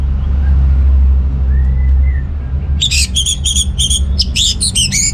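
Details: Orange-headed thrush singing to prompt males short on breeding drive: after a quiet stretch of low rumble and a faint whistle, a burst of rapid, high, chattering notes begins near the end.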